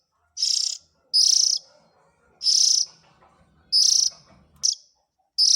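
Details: Oriental magpie-robin chick calls for luring the parent birds: harsh, hissing, buzzy bursts repeated at uneven intervals, one notably shorter. Faint low rumbling runs between calls.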